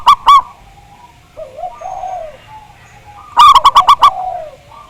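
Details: Zebra doves singing, played to trigger others into song: a pair of sharp notes, soft murmuring coos from a group, then a loud fast series of about six staccato notes and more coos.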